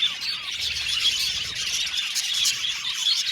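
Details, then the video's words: Budgerigars in a colony chirping together, a dense continuous chatter of overlapping high warbles and squeaks with no pauses, steady loudness throughout. "Beautiful budgies chirping sound"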